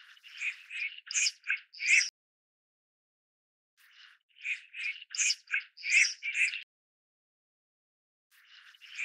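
Red-crested pochard giving rasping, wheezy notes in quick bursts of about two seconds, with a pause of about two seconds between bursts; no other sounds.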